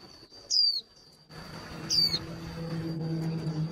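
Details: A female white-eye, used to stimulate males, gives two thin, high, downslurred notes about a second and a half apart, over a steady high whine and low hum.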